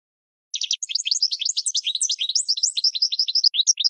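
Goldfinch song: a fast, unbroken stream of bright, tinkling twitters and liquid trills, high-pitched and jumping quickly between notes, against a quiet background.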